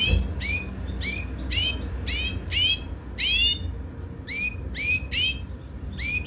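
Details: Caged European goldfinch while mating, uttering evenly spaced bright rising tweets, each a short curved slur, about two per second, over steady low-pitched background hum.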